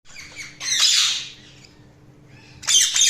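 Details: Pet budgerigars chirping: a short harsh chatter, then a loud buzzy squawking burst near one second, quiet, and another bright scratchy burst at the end; a faint steady hum underneath.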